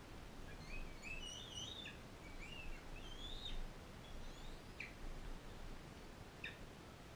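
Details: Bald eagle calls in captivity, where an adult non-releasable female fosters an eaglet brought in from Powell River. A quick cluster of high, thin whistled chirps comes early, followed by scattered softer notes and a few short clicks against a hiss.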